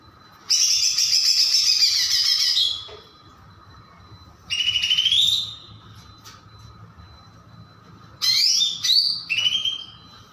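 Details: Captive greater green leafbird, a popular cage bird that can imitate other species, singing three loud phrases: a long buzzy high trill, a rising whistled run, and a burst of sweeping whistles, separated by pauses, with a steady background hum.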